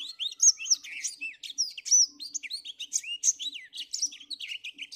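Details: Black-throated finch singing energetically on an overcast morning: a dense, continuous stream of high, sharp chirps and short rising and falling whistled notes, tumbling rapidly without pause, over a faint low hum.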